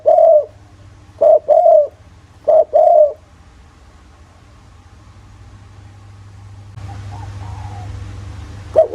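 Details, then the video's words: Spotted dove cooing in the thổ voice as a lure for other doves: three quick paired coos in the first three seconds, then a long quiet stretch with hum and hiss, and a final note at the end. "Tiếng chim cu gáy giọng thổ, kích mồi kích bổi hiệu quả nghe là gáy 100%"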